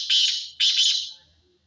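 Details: Black francolin giving two loud, harsh, rasping notes in quick succession, the second trailing off.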